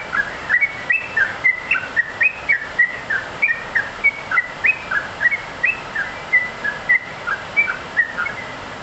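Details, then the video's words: Yellow-vented bulbul in full vigorous song: a fast, continuous run of short chirpy whistled phrases, rising and falling, about three to four notes per second, over steady background hiss. "trucuk gacor"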